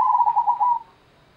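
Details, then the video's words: Zebra dove (perkutut) of the local Indonesian type, singing in the Gendowo Sabdo rhythm style: one quick burst of soft cooing notes near one pitch, rapid and slightly stuttered, fading after under a second. "IRAMA PERKUTUT GENDOWO SABDO (ORIGINAL LOKAL ALAM)"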